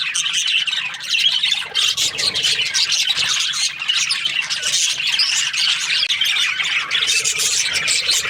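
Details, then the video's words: Chirping budgerigars during the Australian breeding season, many birds at once producing a steady wall of high, scratchy warbling and short squawks that runs through the whole recording. "Happy budgies chirping sounds |Australian budgies breeding season"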